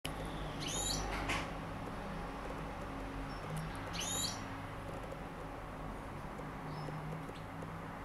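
A European goldfinch gives two short, bright, tinkling twitters about three seconds apart over a steady low hum of background noise.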